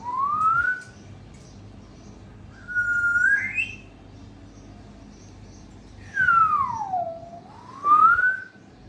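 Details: Whistles from an African grey parrot at Sukkur during mating: a short rising whistle, a flat whistle ending in an upward flick, then a long swooping whistle that dips low and climbs back up, with pauses between.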